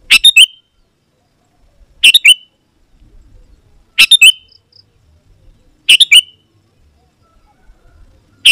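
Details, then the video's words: Sooty-headed bulbul lure song meant to draw wild bulbuls to answer. Brief bubbly two-note phrases with a dropping whistled tail, spaced roughly every two seconds, with little else heard. "Suara Burung KUTILANG GACOR Memanggil Lawan Burung Kutilang Liar Auto Nyaut dan Mendekat"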